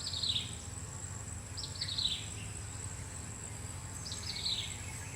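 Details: Foraging common flameback woodpecker gives brisk downward-falling rattles of clipped notes, three bursts in a few seconds. A continuous high-pitched drone and low hum run underneath.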